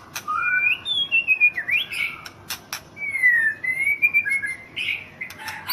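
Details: White-rumped shama, a national champion in Thailand, delivers sweet whistled phrases that slide up and down, some slurred and some with short buzzy twists, interspersed with sharp clicks.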